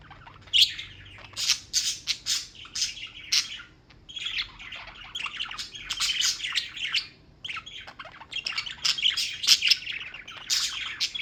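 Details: Continuously chirping pet birds in New York, high twittering and squawks arriving in dense bursts separated by brief quieter gaps.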